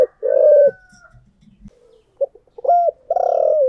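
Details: Spotted dove decoy bird singing in the 'giọng thổ' voice style: a loud, low, buzzy coo opens, then quiet murmurs, and a rising whistled note runs into a long, throaty coo near the end.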